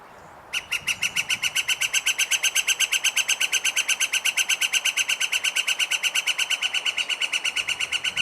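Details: Northern Flicker long call, higher pitched and longer than a Pileated Woodpecker's and said to carry a long distance, from Washington: a rapid, even series of loud ringing notes, nearly three per second, running steadily for almost eight seconds.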